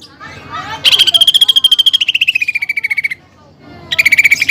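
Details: Greater green leafbird in full song, its song filled with imitated fighting-sparrow and pelatuk bawang phrases: after soft twittering, a fast buzzy trill of rapid repeated notes slides slowly downward for over two seconds, then a second trill begins.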